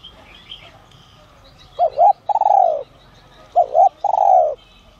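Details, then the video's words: Spotted dove with a 'giọng son' voice, a decoy bird calling to lure wild doves: two short clipped coos, then a long, rough, falling coo, with the phrase given twice. Faint chirps of other birds sound in the background. "Chim Cu Gáy GIỌNG SON kích bổi| | tiếng cu gáy gáy gọi , thúc kích mồi, gọi bổi đến"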